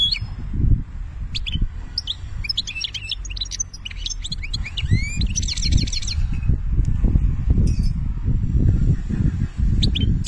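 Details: Algerian European goldfinch delivering banna-style song: a lively, liquid twittering phrase of varied whistles and chirps building to a rapid, buzzy trill, then a few scattered notes, with a continuous low rumbling noise underneath.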